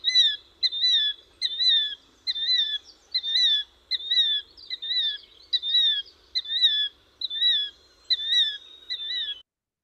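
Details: A Killdeer calls a loud, high, two-part "kill-deer" over and over, a falling shrill note repeated more than once per second. This is the call that gives the bird its name.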